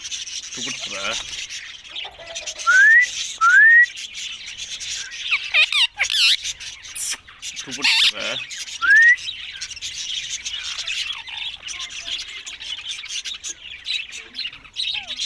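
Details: Green ringneck parrots, described as talking birds, give loud harsh squawks and several short rising whistled notes over a steady background chatter of chirping birds.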